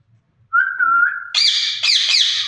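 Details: One of a pair of caged ringneck parakeets talking to each other: a level, clear whistle lasting nearly a second, followed at once by loud raspy speech-like chatter in two bursts.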